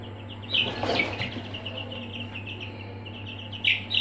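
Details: Aseel chicks in a brooder: faint rapid peeping throughout, a rustling scuffle early on, and a few louder shrill cheeps at the end.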